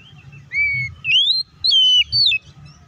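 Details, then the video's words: Oriental magpie-robin in fighting song, used to provoke other magpie-robins into singing and getting agitated: loud clear whistled phrases, a level note then rising and falling slurred whistles, four phrases separated by short gaps, low hum beneath. "KACER GACOR NGEPLONG TARUNG❗PALING AMPUH BUAT PANCINGAN KACER AGAR CEPAT BUNYI DAN EMOSI!"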